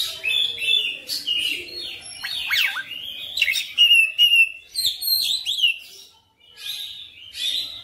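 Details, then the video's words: Persistent gacor oriental magpie-robin showing off its full repertoire: loud, varied song of sharp whistled slurs, steep downward sweeps and chattering trills in rapid succession with brief gaps. "KACER NGOTOT GACOR FULL BONGKAR MATERI"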